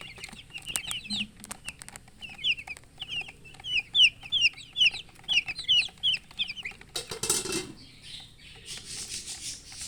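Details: Baby chickens, colour chicks in poultry, chirping while thirsty for drinking water: rapid high peeping notes in quick series, then a burst of noisy rustling near the end.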